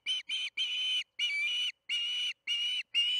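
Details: Evening feeding at the Charlo osprey nest, June 21, 2019, 8:15 pm MDT: an unbroken series of eight shrill, slightly rasping whistles, some short and some drawn out, spaced evenly.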